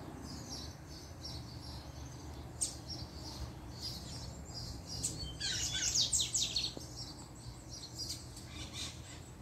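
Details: Double-collared seedeater (coleiro) of a kept pair, singing as the female appears. High chirped notes come sparse at first, then a dense bright burst of rapid twittering near the middle, over a steady low hum.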